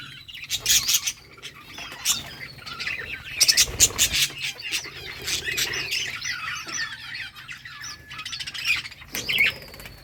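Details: Colony budgerigars playing during the summer breeding season, a busy chatter of warbled chirps and sharp squawks, several birds calling at once, with clicking sounds and a low background hum.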